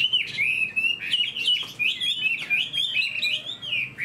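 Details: Chinese hwamei in a cage, fan-tailed and known as a good fighter, delivers a loud, continuous run of clear whistled notes, rising and falling in quick looping phrases with brief breaks.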